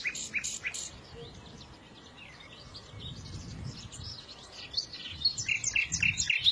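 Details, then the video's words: Several small birds chirping and twittering together, high sharp notes scattered through the clip, growing busier and louder toward the end, over a low rumble of background noise. "تغريد العصافير"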